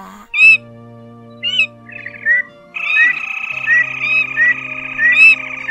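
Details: Red-legged crake, male and female calling the flock, used as a lure for night net trapping during the 2023 migration season: short harsh squawks, then a long buzzy rattling call with repeated accented notes over a steady electronic hum.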